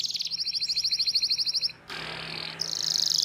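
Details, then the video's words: Canary tutor song for young canaries learning to sing, a long chirping song with rolls: a fast, even, very high buzzy trill, then a harsh noisy burst, then another bright high rolling trill over a low steady hum. "PANCINGAN Kenari GACOR PANJANG Cuit Cuit EMOSI‼️ MASTERAN Kenari PAUD belajar BUNYI"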